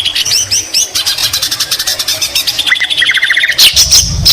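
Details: White-rumped shama in full song, mixing in greater green leafbird phrases: rapid repeated chips, then a run of fast steady trilled whistles and a bright high flourish.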